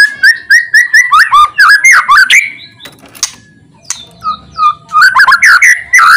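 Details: White-rumped shama delivering loud song used to get quiet shamas singing: a fast series of repeated whistled notes, about two per second, then a brief pause, soft notes, and another rapid run of rich slurred phrases.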